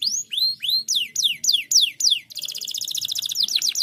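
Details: Singing pocong canary, played to coax idle birds into song: rising upslurred whistles, then steep falling slurs about three per second, breaking into a rapid, even high rattle with a few more swoops.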